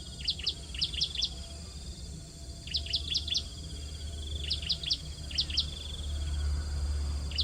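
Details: Hungry bar-winged prinia chicks being fed at the nest: bursts of rapid, high, thin chirps come in clusters about every one and a half seconds over a steady low rumble of background noise.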